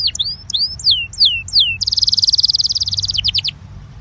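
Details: Belgian canary singing a warm-up song: a string of downward-sweeping whistled notes, then a fast buzzy trill of rapid repeated notes ending in a few separate chips.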